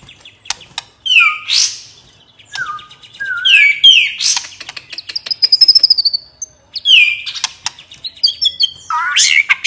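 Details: Varied, relaxed ngeplong song of a white-rumped shama: sharp downward-sweeping notes, a sustained high whistled trill, quick rattling series and chattering fragments, delivered loud and clear with short pauses.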